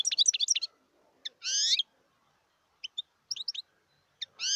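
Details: Wild European goldfinch, 2018, in song: a rapid tinkling twitter, then a long sweeping buzzy note, scattered sharp chirps, and another rising slurred note at the end.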